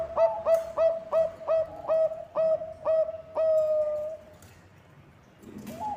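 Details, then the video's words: Bangkok-type zebra dove singing vigorously, a song used as a lure to get other birds singing: about eight quick, clipped coos in a steady rhythm, then one long drawn-out cooing note that fades away, with a faint brief note at the end. "Perkutut bangkok gacor suara cocok untuk pancingan"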